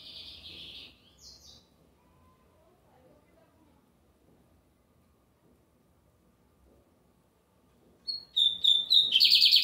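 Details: Lined seedeater singing often on a Sunday: the end of a buzzy trill, a long quiet gap, then a new phrase opening with a high note and clear whistles, running into a loud pulsing trill.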